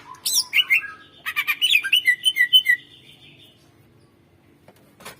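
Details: Greater green leafbird in full song, used as a tutor recording to stir quiet birds: a burst of harsh and swooping notes, then a trill of clear chirps slowing and fading, followed by near silence and a brief scratchy note.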